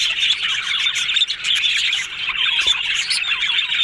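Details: Yellow budgerigars in happy, talkative mood: dense, continuous flock warbling of fast chirps, squeaks and scratchy twitters packed into a steady high band, with a brief dip in loudness near the middle.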